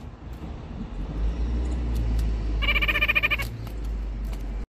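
White-breasted nuthatch giving a quick burst of nasal, rapidly repeated notes lasting under a second, over a steady low rumble like distant traffic.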